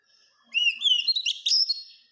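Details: Kacer song for tutoring birds to sing: faint thin whistle, then a dense burst of rising and falling whistles and sharp chirps lasting just over a second.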